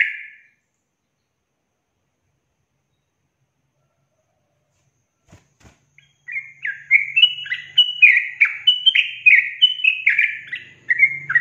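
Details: Yellow-vented bulbul (trucukan) in a lure recording meant to prompt untrained young birds to answer and sing: a single opening note, a long pause, then a bubbly, fast run of liquid chattering notes, about one a second.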